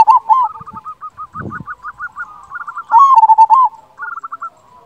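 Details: Local zebra dove with a powerful voice singing. A rapid string of short, lilting coo notes builds into one loud stuttering phrase, with a brief thump partway through.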